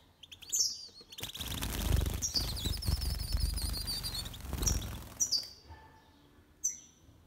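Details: Goldfinch mule and female goldfinch mating in a cage, fluttering wingbeats and rustling under a rapid, high tinkling twitter, then scattered single sharp chirps as the movement settles.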